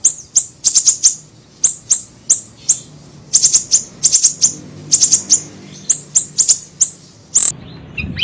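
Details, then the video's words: Small siri-siri bird recorded as a lure for bird trapping: sharp, very high chips, single or in quick clusters of two to four, repeated throughout with brief pauses over a faint low hum. "MASTERAN PANCINGAN PIKAT SUARA BURUNG SIRI SIRI KECIL"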